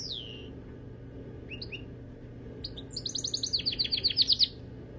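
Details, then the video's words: Pet canary singing: a few scattered rising and falling whistles, then a fast trill of bright repeated notes building in loudness for about a second and a half, over steady low background noise. "Canary wing wonders"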